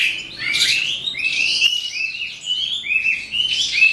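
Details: At the close of the day an eastern calandra lark, subspecies psammochroa, pours out a bright, rapid song of chattering notes and short upward-gliding whistles, steady and unbroken throughout.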